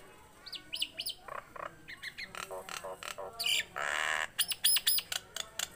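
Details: Lively chatter of a tame, captive Nias hill myna. Short upslurred whistles repeat rapidly, broken by a long harsh rasp, then a burst of high ringing notes.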